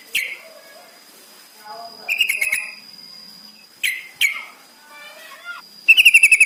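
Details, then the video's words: Captive yellow-vented bulbul song used as a lure to make caged birds sing: bright chattering phrases in short bursts, ending in a rapid run of repeated notes, with a steady high electronic whine throughout. "Pancingan trucukan paling AMPUH bikin cepat bunyi"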